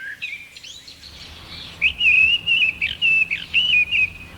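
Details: Mistle thrush singing in spring: bold, challenging, clear whistled phrases, about six short bursts in quick succession, less mellow than a blackbird's, over a faint low hum.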